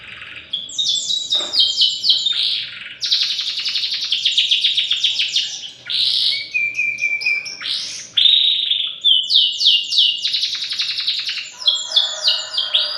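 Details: Three-month-old canary learning to sing: a continuous warbling run of high chirps, rapid trills and buzzy rolled phrases, with fast repeated downward sweeps and brief whistled notes, loud and close throughout.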